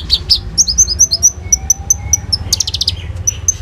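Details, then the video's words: Common iora giving rolled 'isian' song, recorded on an Oppo A37f phone as a lure for other birds: repeated sharp high chirps and short whistled notes, with a faint lower tone and low background hum. "SUARA BURUNG KONIN GACOR FULL NEMBAK ISIAN ROLL TEMBAK, AMPUH BUAT PANCINGAN KOLIBRI NINJA BAHAN IJO"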